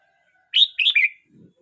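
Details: Red-whiskered bulbul, a young bird aged 12 months 29 days, delivers one short warbled phrase of quick liquid notes, rising then falling, lasting under a second, followed by a faint low rustle.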